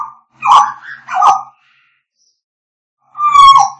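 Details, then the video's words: An African grey parrot whistling: two low, slurred whistled notes, then a pause and a longer, richly harmonic whistle. "African grey parrots singing"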